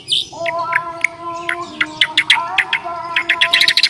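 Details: Fighting song of a Bornean white-rumped shama: a long whistled note, then a fast series of sharp clicking chatter notes that speed up toward the end, over a steady background drone.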